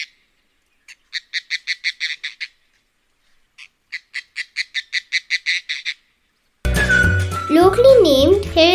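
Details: Oriental Darter in Sri Lanka, a usually silent water bird, gives two bursts of about a dozen dry, clicking notes in quick, even succession; music follows at the end.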